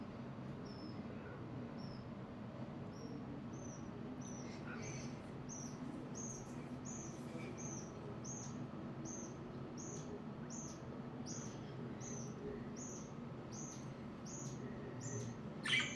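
A budgerigar gives short, high chirps, repeated steadily about twice a second.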